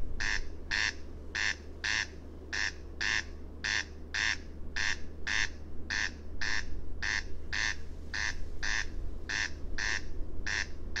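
Corn crake giving its dry, rasping double crex-crex, about ten pairs in eleven seconds at a steady, mechanical pace, over a low background hum.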